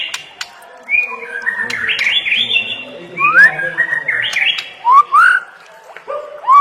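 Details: Jumbled, mimicking warble of a white-rumped shama, mixing scratchy chatter, upward-sweeping whistles and sharp clicks in an irregular, varied sequence.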